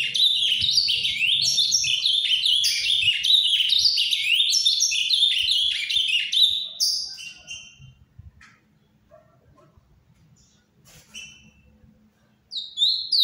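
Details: Captive ultramarine grosbeak singing softly in the Paraná style: a fast, rich warble of slurred whistles for about seven seconds, then a pause before a few brief notes resume.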